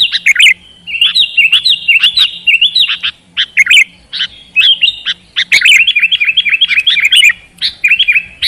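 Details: Sooty-headed bulbul (kutilang) song meant to spur a silent bird into frequent, combative singing; short chirped bursts separated by brief gaps, then a fast rattling series of repeated notes.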